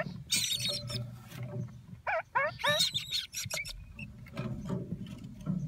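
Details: Nestling Red-crowned parakeets of a captive-bred pair calling inside their nest: scratchy squeaks mixed with quick downward-sliding tonal notes in short clusters, then quieter grating sounds and a low murmur underneath.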